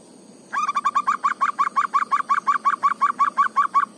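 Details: Zebra dove from Indonesia, natural song in ngayer and negel styles used to coax a reluctant bird to sing: a steady stream of short, upward-flicking coos delivered rhythmically, nearly three each second, over faint background hiss.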